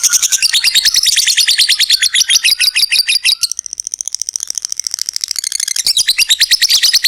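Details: Lovebird in a long 'ngekek' trill used to spur other lovebirds into singing: rapid pulsed chattering notes, about three per second, high and harsh, dipping softer in the middle before surging loud again.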